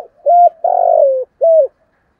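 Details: 'Giọng thổ' style coo of a spotted dove, used to lure wild doves: one full phrase of three mellow, low notes, a brief level coo, a longer throbbing one sliding down, and a short falling ending.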